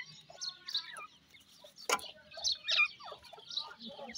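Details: Several Indian grey francolin chicks squabbling, giving thin, high cheeps and squeaky rising notes in uneven bursts, with one sharp broadband click near the middle.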